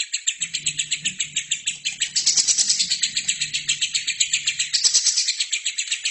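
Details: Lovebird singing in a recording made to teach other birds: a continuous fast rattle of sharp, buzzy notes, swelling louder in the middle, with faint low hum beneath.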